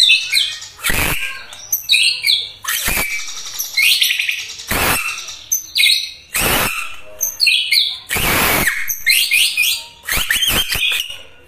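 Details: White-rumped shama (murai batu) in vigorous gacor song: loud bursts of varied high whistles and rich warbled phrases, broken by harsh broadband notes about every one to two seconds.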